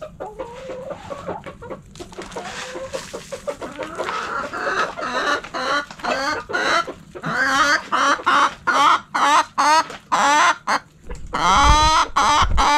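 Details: Backyard chickens in the coop: hens give loud, harmonic, nasal clucks that build into a quick irregular series of separate calls, ending in a long, wavering, drawn-out cry.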